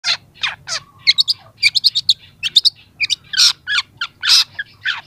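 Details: Young long-tailed shrike singing, used as a training recording to prompt other young shrikes: varied loud chirps and buzzy rasping notes, a long low steady whistle early on, then rapid clicking and harsh bursts.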